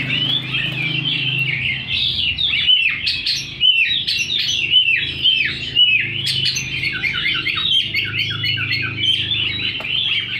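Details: Oriental magpie-robin in vigorous song, tail fanned: ten seconds of varied chirps, slurred whistles and chattering runs with brief pauses, a faint low hum in the background.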